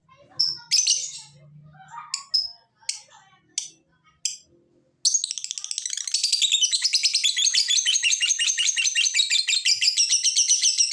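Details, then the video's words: Lovebird ngekek chatter, meant to prompt lovebirds to sing, opening with scattered sharp chirps and a low hum before breaking into a continuous, dense stream of fast, harsh, high trills that runs to the end. "Pancingan Jitu Lovebird BUNYI dan Ngekek, menjadikan Lovebird Rajin Bunyi"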